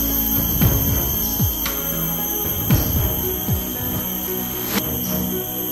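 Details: Background music with low sliding tones and a steady high hum plays throughout, and no animal voice is heard.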